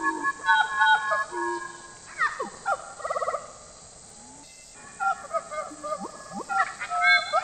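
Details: Song of a Papuan butcherbird used as a forest lure, with full fluty whistles, quick rising and falling slurs and a brief rapid trill, broken by a short quiet pause before more varied phrases.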